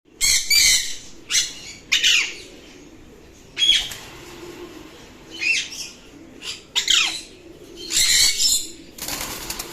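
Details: Alexandrine parakeet giving harsh, high screeches, several sharp downward-sweeping squawks in irregular bursts about every second or two, with faint low background noise between calls.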